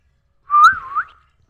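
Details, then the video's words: Pet parrot learning to talk, uttering a single wavering whistled note that dips and rises again before fading, in a quiet room. "my parrot start talk,, मेरा मिट्ठू बोलना सीख रहा है"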